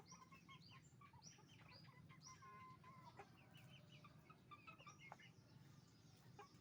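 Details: Roosters and hens at a chicken farm making noise together: a dense chorus of short, overlapping clucks and squawks from many birds at once, over a steady low rumbling hum throughout.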